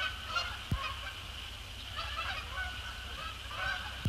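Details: Resident and migratory Canada geese fly in after sunset on 2 December 2017 to land on Sapsucker Woods Pond, honking at a distance with faint overlapping nasal calls; a low rumble and two sharp knocks.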